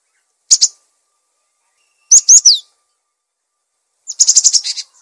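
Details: Cinereous tit song recorded for training other birds: a sharp double note, a phrase of three loud slurred whistles, then a fast buzzy run of about eight notes.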